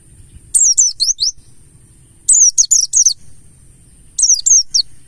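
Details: Mountain white-eye (Pleci Buxtoni) song used as a lure to make birds sing: three bursts of high, sharp descending whistled notes, each burst of four or five quick slurred notes, separated by about two-second pauses, over a faint low hum.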